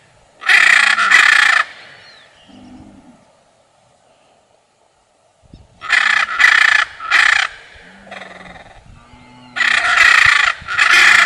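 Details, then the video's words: A blue macaw gives loud, raspy screeches in three bursts, each a second or two long, with brief low croaking notes between them. "Blue Macaw Serenade: Enchanting Chants of Nature"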